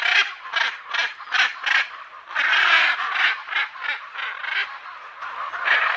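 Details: Macaw giving a quick series of harsh, raspy squawks, about two per second, then a longer rough outburst and more grating calls that overlap toward the end.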